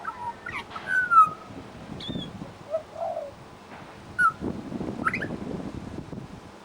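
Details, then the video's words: Pied butcherbird mimicking other birds at a bird sanctuary: falling whistled slurs, a soft low coo, and short sharp high notes, with background rustling. "Amazing mimicry by Pied Butcherbird"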